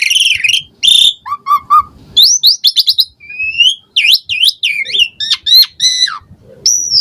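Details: Varied Asian pied starling song for prompting caged birds to sing: a harsh opening squeal, low mellow triplets, rapid rising-note trills and sharp downslurred chirps, ending on a drawn high whistle.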